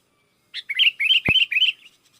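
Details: Sooty-headed bulbul, a singing bird used to call in wild bulbuls that answer; a short burst of bright chirpy notes, rising and falling quickly, with one sharp low click in the middle.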